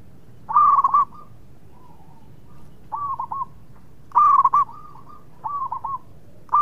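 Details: Local zebra dove used as a lure for rival birds to answer quickly, singing in spaced bursts: a loud rolling coo followed by two or three quick hooked notes, repeated about every two seconds.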